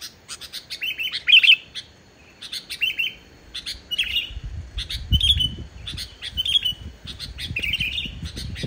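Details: Sooty-headed bulbul; song; stimulating reluctant bulbuls to sing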